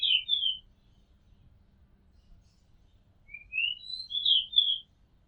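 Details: Oriental magpie-robin song recorded on a home rooftop: two bright phrases of rapid slurred whistles separated by nearly three seconds of silence, the second phrase climbing through several quick notes.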